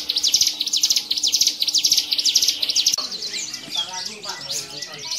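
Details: Caged hill prinia performing at a songbird contest in Medan, Indonesia, on 7 March 2019, where it won, singing nonstop: rapid high buzzy notes repeated about twice a second, then a jumble of many other birds and human voices.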